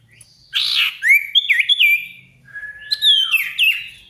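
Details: Short burst of sirtu song as a lure for silent birds and rivals: a harsh buzzy note followed by bright looping whistled notes that swoop up and down.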